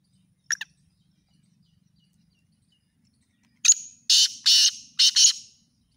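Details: Black francolin (kala teetar) in chakri tournament calling style. An isolated short note, about three seconds of near silence, then a sharp click and four harsh, buzzy notes ending in a tight pair. Faint low hum underneath.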